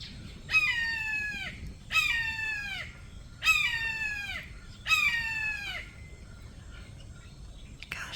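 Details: A wild Red-shouldered Hawk calling from just above a captive hawk's pen, unseen, gives four loud, harsh, down-slurred cries, each about a second long and spaced every second and a half, with faint background rumble.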